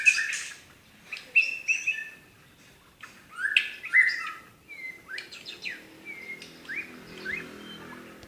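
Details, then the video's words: Medan-type white-rumped shama giving 'tembakan' song in short bursts: sharp whistles, slurred upward notes and quick chips separated by gaps, over a faint low hum and background noise. "tembakan burung murai batu medan"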